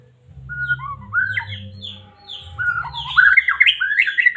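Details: White-rumped shama of the Medan type, played as a lure to provoke caged shamas into singing: rich varied whistles that climb from mid to high pitch, then a dense, loud, tumbling burst of slurred notes, over a low steady hum.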